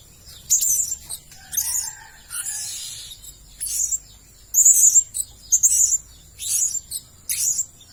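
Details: Blue-crowned hanging parrot lure recording used to attract birds: sharp, very high-pitched chirps and thin squeaks in short bursts, roughly one per second, with brief buzzy notes between them.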